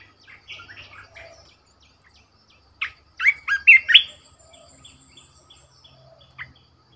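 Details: Caged red-whiskered bulbul kept as a decoy bird sings a burst of rich whistled, warbling notes around the middle, with softer chatter before and after and a short call near the end.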